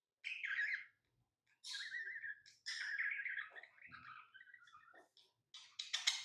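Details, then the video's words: Quieter lovebird chirping from tame pet birds: short, lower whistled chirps and wavering notes in several phrases separated by short silences. "Love birds Sounds | lovebirds chirping sounds| parrot beautiful sounds"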